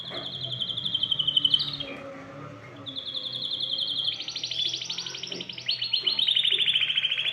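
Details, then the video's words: Canary singing to spur other birds, with high clear trills, a brief pause, then a long, rich rolling trill that drops slightly in pitch toward the end. "تغريد كناري يحفّز الطيور على التغريد"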